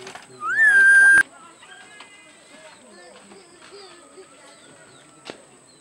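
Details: Purple-naped lory (Lorius domicella), a parrot endemic to Maluku, Indonesia, gives one loud, rich call that rises sharply, then holds a steady ringing note for under a second, over soft background bird chatter.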